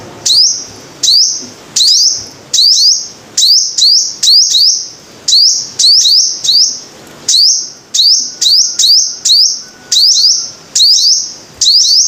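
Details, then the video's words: Five-coloured sunbird singing: sharp, high upslurred notes, each sliding into a short level ringing tone, repeated roughly every half second to a second in uneven bursts, with occasional doubled notes; no other clear sounds. "Tiếng chim hút mật 5 màu"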